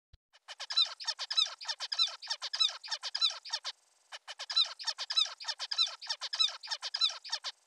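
Zebra finch giving a rapid run of nasal, honking calls, like a tiny toy trumpet.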